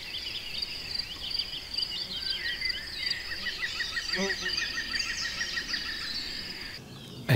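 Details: A European green woodpecker in a garden gives its laughing call, heard year-round: a run of about a dozen ringing notes at an even pace, while other birds chirp and twitter high above it.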